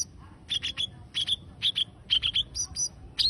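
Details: Cage bird singing: quick bursts of high, sharp chirps and short whistled notes in clusters, several per second with brief gaps, over a low background rumble.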